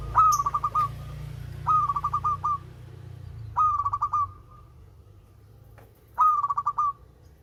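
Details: Local zebra dove giving its sweet song: four phrases, each a rising whistle followed by about four to five crisp, evenly spaced coo pulses. A low engine-like hum runs throughout.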